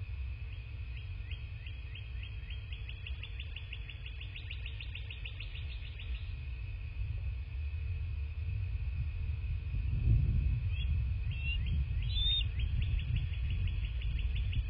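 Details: Wild bald eagles at a southwest Florida nest, recorded by nest camera on 27 February 2024 at 09:46. A long series of quick, high piping chirps, then another burst near the end, with a constant rumble of wind underneath.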